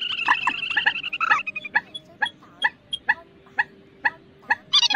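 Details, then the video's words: Waterhen call played as a lure for night net trapping of migratory birds in August 2024. Clucking notes run quickly at first, then become spaced single pulses about every half second. "Tiếng Quốc Mốc , Trích Ré Bẫy Lưới Đêm"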